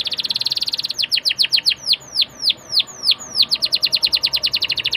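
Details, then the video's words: Young Atlantic canary song used to lure other canaries into singing: a buzzy high trill, then rapid descending whistled sweeps repeated about three per second, ending in fast chirping notes. "PANCINGAN KENARI MUDA AGAR CEPAT BUNYI DAN GACOR CENGKOK ENAK! kenari Manapun akan langsung nyaut"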